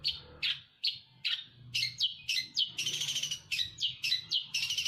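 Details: Eurasian tree sparrow from Jember in shrike-imitation 'cendet Damar Wulan' song: varied, clipped high chirps, some sliding downward, mixed with short harsh buzzy bursts. Irregular pace, faint low rumble behind.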